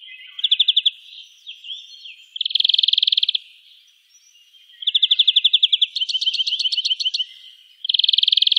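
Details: European greenfinch in the town of Wittlich, Germany, 2018, singing rapid, rattling trills of bright, even notes, several per burst, broken by a brief twitter and a rising series of higher chirps.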